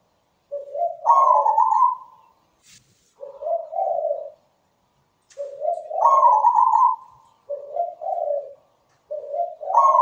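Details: Zebra dove in full song, sweet and persistent: repeated coo phrases, each a higher vibrating note sliding into lower rolling coos, delivered about every three seconds with short gaps.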